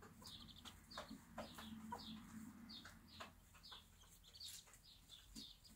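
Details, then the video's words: Bantam mother teaching her two-week-old chicks in a backyard farm. Quiet low hen clucking runs under frequent high, downward-sliding chick peeps repeated irregularly across the whole stretch. "beautiful bantam mom teaching her 2 week old chicks"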